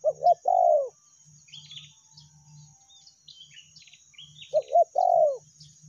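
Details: Spotted dove lure call, meratus style for pressing a rival or melambung style for ordinary calling: a quick double coo followed by a drawn-out descending purr, repeated after about four seconds, with faint high twittering of other small birds in between.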